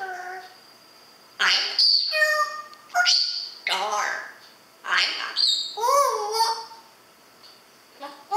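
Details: A pet grey parrot talking with its owner mimics phrases such as "Hello there, wassup", "ang ganda mo" and "I'm a superstar" in short bursts, in a clear, slightly whistled voice with brief pauses; little else is heard.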